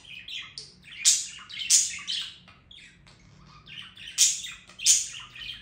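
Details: Budgerigar warbling in rapid bursts: chirpy, slightly buzzy phrases with paired loud sharp squeaks near the start and end, separated by a brief quieter chatter.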